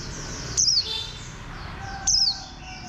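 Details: Two shrill descending chirps from a Warbling white-eye, described as bantam-shaped, spaced about one and a half seconds apart, with soft twittering of other birds throughout.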